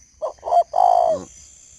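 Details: Captive male spotted dove cooing late at night in Ba Vì, Hanoi, northern Vietnam: two short husky notes, then a longer drawn-out, slightly falling coo.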